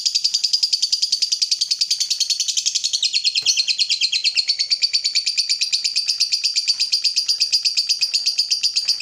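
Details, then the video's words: Lovebird fighter delivering long ngekek song, played as a lure to make other lovebirds sing: a continuous, fast, high chattering trill of buzzy chirps, slightly shifting in pitch midway and running without a break. "PANCINGAN SUARA BURUNG LOVEBIRD UNTUK MERANGSANG LB APAPUN CEPAT NGEKEK"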